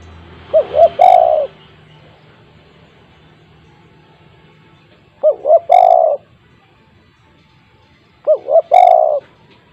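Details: Spotted dove kept at home, its call meant to set other doves calling: three phrases, each of two quick rising notes and a long, slightly falling coo, roughly every three and a half seconds.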